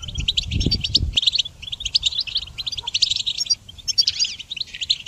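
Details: Goldfinch song for training songbirds, bursts of fast, tinkling and buzzy twitter separated by tiny gaps, with heavy low thumping during the first second.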